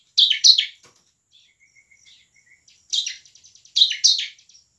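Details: Lively bar-winged prinia song used as a lure for birds reluctant to sing; harsh paired chirps followed by a soft thin whistle and faint rapid ticking, then more scratchy double notes.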